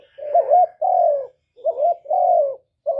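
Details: Spotted dove (cu gáy) singing loudly, recorded live with no other noise, meant to rouse kept birds; two full phrases of a rolling short coo followed by a long, smooth, slowly falling coo.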